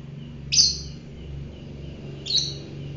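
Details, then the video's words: A fighter lovebird gives two abrupt, grating high chirps about two seconds apart over low background rumble. "fighter lovebird"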